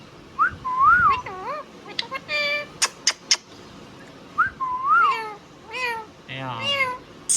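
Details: Indian ringneck parrot repeating a wavy, up-and-down word-like phrase twice, with clicks and short harmonic syllables between, ending in a rough burst and a high squeak.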